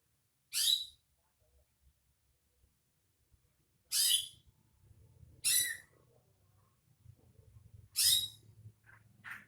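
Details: Lure sound of a greater green leafbird meant to make another bird sing: four loud, noisy, descending screechy bursts spaced a few seconds apart, with soft low rumbling and a faint short note near the end.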